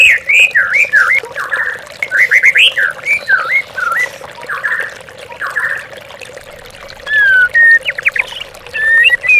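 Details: Lure song of an oriental magpie-robin, played so caged birds react as to a rival. Rich, looping whistles and short slurred notes come in bursts, then clear rising whistles near the end, with trickling water beneath.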